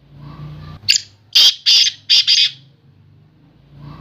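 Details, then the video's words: Sindhi kala teetar, the black francolin, calling with a short sharp note followed by four loud rasping grating phrases in quick succession, then quiet with a low background hum. "Sindhi Kala Teetar"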